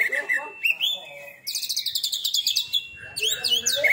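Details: Caged Oriental magpie-robin (kacer), newly moulted once, pouring out a loud varied song: chirps, a rising whistle, a steady run of rapid high trilled notes, then sweeping whistles.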